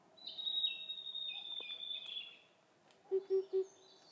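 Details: Wild blue-and-white flycatcher in the Khingan State Nature Reserve, Amur Oblast, Far East Russia: one clear, slightly descending whistled phrase lasting about two seconds, followed by three low Oriental cuckoo hoots.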